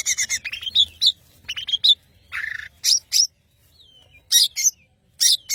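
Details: Madura long-tailed shrike singing: bursts of scratchy, buzzy notes and squeaks, with a rough grating phrase and a thin sliding whistle, separated by short silences.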